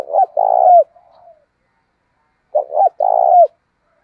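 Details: Spotted dove decoy call meant to provoke fighting, voiced like a wild dove: two throaty cooing phrases, each a short coo then a longer burred coo ending in a falling note, about two and a half seconds apart, quiet background.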